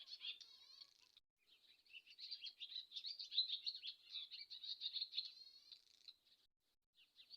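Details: Swallow giving a fast, continuous twittering chatter of buzzy, rattling notes and thin whistles, broken by a short pause near the start and another near the end.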